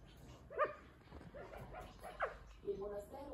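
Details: Pet male California quail perching on a chair, talking: a few short, separate syllables, some sharply rising and some steady and nasal with harmonics, spaced irregularly about a second apart over a soft indoor background.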